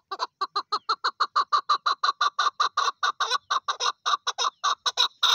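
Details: A loud, fast, even run of clucking chuk notes from a female Chukar partridge, about three per second throughout, steady and insistent.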